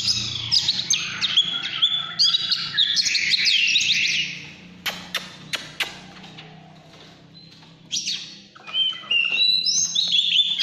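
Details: Oriental magpie-robin in căn lửa singing: bright, rapid whistled trills at first, then a quieter stretch of isolated sharp clicks, and a final run of high, rising whistled notes.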